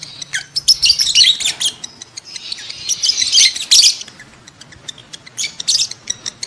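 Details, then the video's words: Lovebirds calling in breeding mood, used to prompt adults to mate: dense, shrill, twittering chatter with rapid squeaks and scratchy notes, pausing briefly before another excited burst, with sharp ticks between. "SUARA LOVEBIRD KAWIN"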